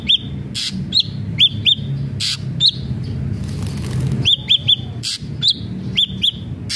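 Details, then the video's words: Ashy drongo singing a run of bright whistled notes, each with a quick upward inflection, often in pairs, mixed with rough hissing bursts and a low background rumble. "srigunting abu abu gacor"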